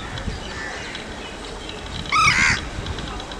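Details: Common moorhen giving a single short, harsh, harmonic call lasting under half a second near the end, over a steady background hiss.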